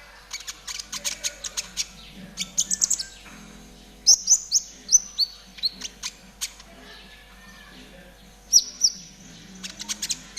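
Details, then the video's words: ['Tutor recording of konin trotol song for caged birds: fast runs of sharp, high ticking chirps, then longer descending whistles, in irregular bursts over a soft low hum.'] "MASTERAN KONIN TROTOL GACOR"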